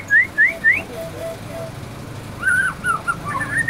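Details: White-rumped shama imitating canary song: three quick rising whistles near the start, a pause, then a run of clear slurred whistled notes and trills, with a faint low hum underneath.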